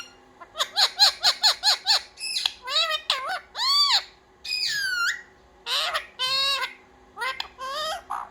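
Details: Indoor talking parrot taught "mummy papa": a quick run of six repeated harsh notes, then arched, voice-like syllables and one long falling whistle-like call, with short pauses between.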